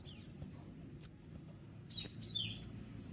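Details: Noisy, persistent kolibri ninja sunbird song used to provoke other birds and stir reluctant singers: four piercing high chirps and thin slurred whistles, roughly one per second, against a faint low hum.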